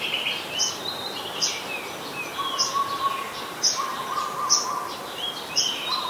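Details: Olive-backed sunbird (yellow-bellied sunbird), Cinnyris jugularis, recorded at home on 25 February 2022: sharp, very high chip notes about once a second, with thin whistled slurs and a steady lower whistled tone beneath.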